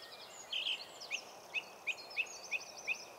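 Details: Song Thrush, a brown spotted-breasted thrush about blackbird size, singing loudly through a park wood: a brief opening trill, then one short high note repeated about six times at roughly third-second intervals, over faint steady background hiss.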